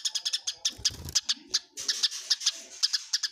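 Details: Eurasian tree sparrows fighting, a clear recording: rapid, harsh chirps in bright bursts, roughly seven or eight a second, with brief gaps and a few soft low thuds near the start.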